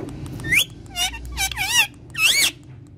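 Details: Pet talking parrot uttering squeaky, speech-like syllables, four wavering high-pitched bursts with a mimicked voice quality over a quiet indoor hum.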